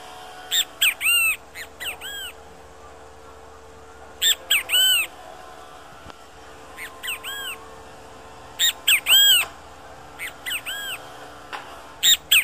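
A great kiskadee gives loud, harsh, arching notes in quick bursts of two to four, repeated every couple of seconds over a quiet background.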